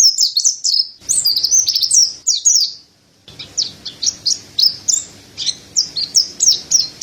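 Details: Mountain white-eye song of sharp, high slurred chirps, hurried at first, then spaced into a steadier series after a short pause.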